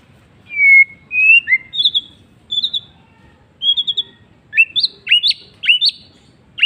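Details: White-rumped shama singing in the afternoon: clear whistled phrases, some sliding and rising, then sharper, complex notes with abrupt upward sweeps, loud over a quiet background.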